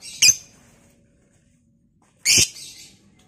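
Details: Lovebird of the type called Batman, kept to provoke other lovebirds into long chattering; two sharp, harsh shrieks about two seconds apart, each with a brief trailing rasp, over a quiet low hum.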